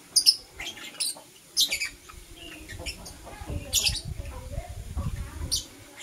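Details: Blue Opaline and Parblue Euwing Opaline lovebirds chirping in the morning, sharp high squeaks and harsh chirps scattered throughout, over a murmur of low background noise.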